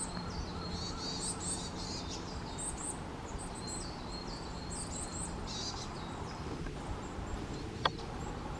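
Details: A juvenile Varied Tit (Sittiparus varius) gives thin, high, slightly nasal call notes in quick clusters over about six seconds, against a steady low rumble of outdoor noise.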